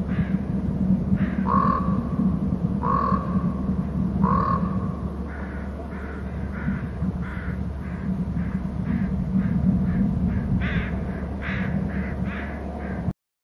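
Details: Eagles gathering at a nest and territory on Hornby Island. Three ringing, harmonic calls come about 1.4 seconds apart, followed by a quick run of short, high, chattering notes, all over a steady low rumble.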